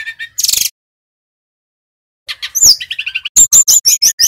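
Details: Brown-chested jungle flycatcher from Bali, played as a lure recording to make the bird sing: a short buzzy burst, a pause, then rapid high whistled notes and chirps repeated in quick succession.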